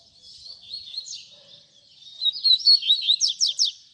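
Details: Double-collared seedeater in baderna song, meant for training young birds: soft warbling at first, building into loud quick slurred notes and three crisp downward strokes.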